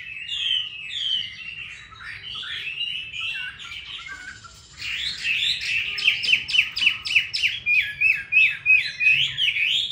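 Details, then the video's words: Caged Chinese hwamei from Hanoi, Vietnam: varied warbling phrases, then a lively fast sequence of sharp, repeated chipping and whistled notes, roughly three per second. "Mi đẹp vn9966. Giọng hay"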